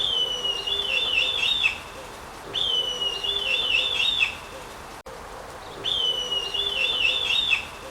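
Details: Red kite, a bird of prey that breeds rarely but increasingly in the Netherlands, gives three high, thin whistled calls, each a held note breaking into a wavering, quavering trill, about every two and a half seconds.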